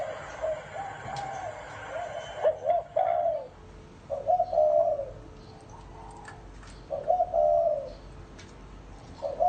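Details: Spotted dove in a Vietnamese cu gáy lối recording giving a gáy gù cooing song: low, mellow coos around mid pitch in short phrases, pausing between bursts, with faint clicks and knocks in the background.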